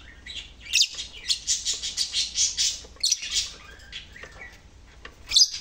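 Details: Lovebird chattering in a quick run of bright, high, rasping notes, about seven pulses in a row, then a pause, a short squeaky burst and one loud shrill squeal at the end.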